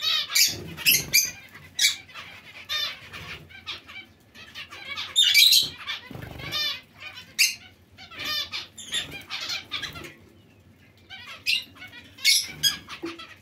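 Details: Colony of zebra finches with other small finches nearby: bright, nasal, tinny call notes in clusters separated by short pauses, with a few sharper chirps and occasional soft wing-flutter thuds.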